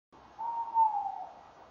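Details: Tawny owl pair calling together at a nest box on a January evening at 19:31, 2014; a single soft, drawn-out hooting note holds a steady pitch before fading, faint against a quiet background.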